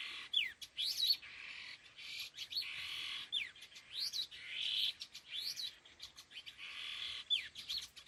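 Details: Laughingthrushes (khứu lùn), a pair, trade strong calls: steep downslurred whistles alternating with grating buzzy phrases, repeated in bursts roughly every second or two, with sharp clicks between.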